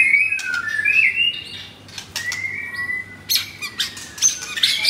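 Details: Pied fourth-generation White-rumped shama, caged in Kemayoran, Jakarta, on the morning of Saturday 10 September. Thin drawn-out whistles glide upward between sharp clicks and scratchy high bursts, with softer phrases in between.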